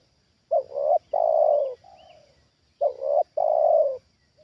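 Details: Trained spotted dove reacting to a wild bird lured down a second time: repeated low coo phrases, each a quick stuttered double note then a long sustained falling coo and a softer trailing note, about every two and a half seconds.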